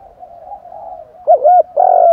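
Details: Male and female spotted doves calling to stir wild birds, in thúc, gù and gáy gọi styles: soft low murmuring coos at first, then three loud, deep, hollow coos near the end, the last one drawn out.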